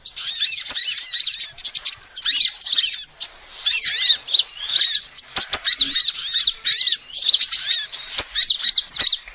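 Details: Sustained bursts of shrill, rapid, up-and-down chirps from a female sunbird, played as a lure, broken by short silences, with scattered faint clicks.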